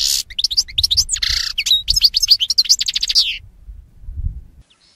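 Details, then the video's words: Goldfinch song for tutoring caged birds: a rapid, varied stream of bright chirps, twitters and a brief nasal buzz, delivered at a quick pace for over three seconds, with a faint low rumble underneath. "Canto de jilguero para educar /Goldfinch singing /Chant du Chardonnet Élegant"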